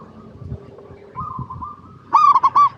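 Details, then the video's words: Brief phrase from a local zebra dove, used to coax others of its kind to sing: a soft, level hum, then a sudden loud run of four rapid, ringing, rolling coos at the end. "PERKUTUT LOKAL GACOR PALING DISUKAI 🐦 Suara Asli Bikin Semua Perkutut Dimanapun Pasti Nyaut"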